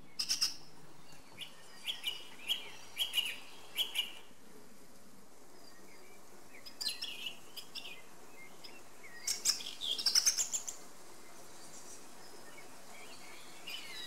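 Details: Song thrush singing: short high chirpy phrases, each given several times in quick succession before switching to a new one, with pauses between bursts over steady low background noise.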